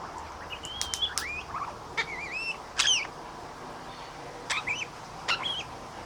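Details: A male Australian king parrot visits and shows off, chatting happily while pecking gum nuts. Sliding whistled notes, some rising and some wavering, mix with sharp clicks in loose bursts spread across the recording, with quiet gaps between.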